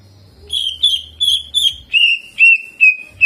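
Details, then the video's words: Greater green leafbird in lively jamtrok singing with ciblek mimicry and rolling phrases, used as a warm-up tutor song: a run of eight sharp, slightly falling whistled notes near one pitch, repeated about every half second, over a faint low hum. "CUCAK IJO GACOR JAMTROK ISIAN CIBLEK DAN NGEROLL"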